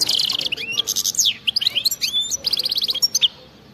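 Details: European goldfinch pouring out a fast 'betbta' trill in 'khlowi' wild-style singing: buzzy chatter, upward-sweeping whistles and tinkling notes that stop abruptly near the end.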